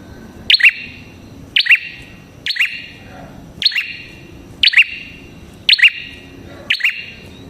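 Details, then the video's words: Prinia described as red-headed, used to lure prinias: seven rapid bursts of sharp double chirps about one second apart, each a high piercing note dropping to a lower buzzy one, over quiet background noise. "Suara Burung Prenjak Kepala Merah Gacor Ampuh untuk Pikat Prenjak & Pancingan Prenjak"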